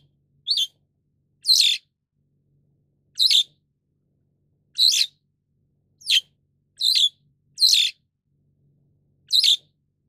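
White-shouldered Starling giving eight short, harsh, high-pitched chirps at uneven intervals of about one to two seconds against a quiet background.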